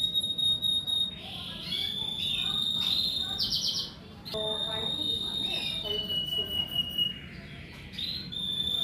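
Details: Kenari merlok canary in morning song: long level high whistles joined by brief rapid trills and short chirps, the pitch shifting between phrases, with low steady background noise.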